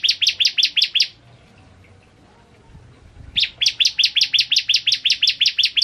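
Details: Master tutoring recording of a vigorous bar-winged prinia (ciblek kristal): a fast burst of high, sharp notes ends, then after a two-second pause a longer trill follows, with about ten evenly repeated chips per second.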